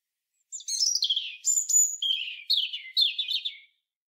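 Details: European robin (Erithacus rubecula) singing a three-second run of high, tinkling, warbled phrases that slide downward, with one thin pure whistle, against a quiet background.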